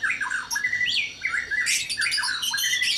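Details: White-rumped shama at dawn in a breeding cage: quick descending whistled trills and slurs, then a harsh, hissing burst followed by more rapid whistles.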